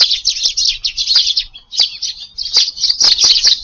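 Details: Eurasian tree sparrows feeding as a dense flock in a garden at evening, 6 July, chirp in clean high bursts, a busy run of notes, a brief pause, then more chatter.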